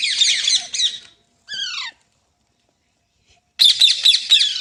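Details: Green parrot giving harsh, rasping squawk bursts in quick rapid series, then a short descending screechy call, a pause of silence, and another loud grating squawk run.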